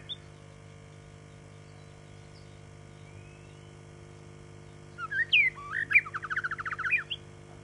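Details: White-rumped shama, described as good-tempered, delivering a 'giọng dây' song: after a quiet stretch, a burst of sharp whistled notes that runs into a fast, buzzy rattling trill, with a steady low hum throughout.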